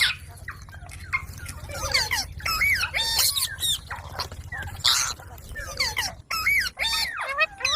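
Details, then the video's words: Indian green parrot chick, described as talking, chattering continuously with many short bent whistles and scratchy squawks over a steady low hum. "Baby parrot talking|Ameging Indian parrot|Green Parrot|Mithu ki Aavaj|Desi parrot talking video"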